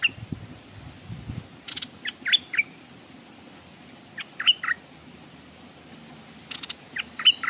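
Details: Decoy Stripe-throated bulbul hung at a streamside, attracting wild birds that hesitated to land. Three clusters of brisk chattering notes, each ending in bright whistled slurs, with a low rumble near the start.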